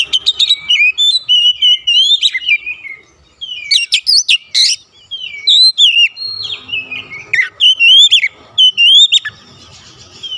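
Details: Lure song of an oriental magpie-robin meant to rile rival magpie-robins: rapid strings of bright whistled notes and quick slurs, a brief noisy burst near four seconds, then further energetic whistled bursts.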